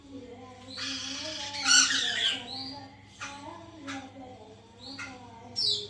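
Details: White-crested laughingthrush, a captive bird, in a recording used to stimulate caged birds to sing: harsh, loud chattering bursts mixed with short rising whistled notes, over a steady low hum.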